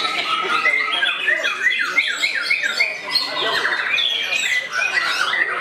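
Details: White-rumped shama actively attacking a rival, pouring out a dense, loud stream of varied whistles, chirps and fast rising and falling notes with hardly a pause.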